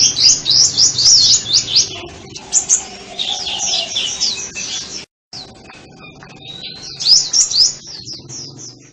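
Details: High, rapid sunbird twitters in a burst, then quieter scattered notes, a brief silence, and a final short run of sweeping chirps.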